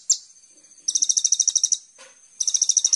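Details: Kolibri ninja sunbird, used as a lure recording to set caged songbirds singing: a sharp high note, then a fast buzzy trill of evenly spaced chips, a brief pause with a soft lower note, and another rapid high trill.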